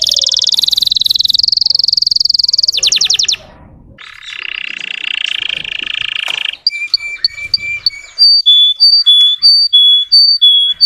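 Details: Russian canary song used as a lure to stir up untrained canaries: a high buzzy rolling tour, then a fast clicking trill, a rougher lower roll, and finally clear whistled notes alternating between two pitches.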